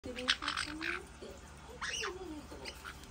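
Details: Pet white-bellied parrots play-fighting indoors, giving short harsh squawks in bursts, with people talking in the background.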